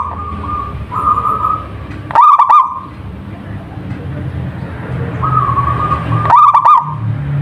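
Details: Zebra dove, a local bird, gives two rapid trilled cooing phrases about four seconds apart, with softer drawn-out tones between them against a constant low hum.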